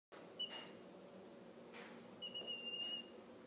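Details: Fostered baby Mississippi kites in Oklahoma, abandoned and fallen from trees in extreme heat, begging while being hand-fed: two thin, drawn-out whistles, the second held almost a second, over steady background hiss.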